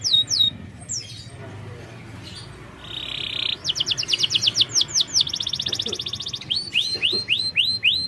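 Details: Canary song used as a lure recording to prompt a reluctant bird, including young canaries, to sing: fast downslurred whistles, a buzzy held note, then a long rapid trill and a run of repeated swooping notes.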